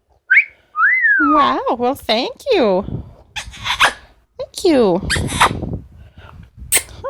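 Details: Pet Amazon parrot indoors gives a high whistled glide, then a run of harsh, harmonic-rich squawks and talking-like calls in quick bursts. A woman speaks nearby, praising the bird.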